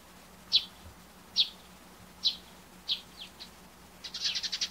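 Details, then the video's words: Eurasian tree sparrow chirping in the morning, possibly ground calls rather than song (uncertain), giving short, high chirps spaced about a second apart, ending in a quick run of rapid chattering notes. "スズメの鳴き声 03 地鳴き？"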